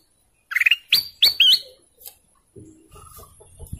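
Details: Golden canary producing a rapid pulsed trill followed by looping, rising whistled notes, then quieter soft calls and faint low rumbling toward the end.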